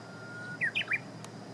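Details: Japanese bush warbler singing on 6 June 2017 around 8 a.m.: a long, steady, pure whistle followed by a quick three-note flourish of bright, rising-falling notes, over a soft, steady background hiss.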